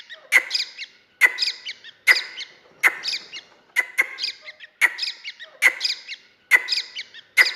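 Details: A grey francolin (Francolinus pondicerianus) chick gives sharp, high, squeaky notes with a harsh edge, repeated roughly every second in a steady series.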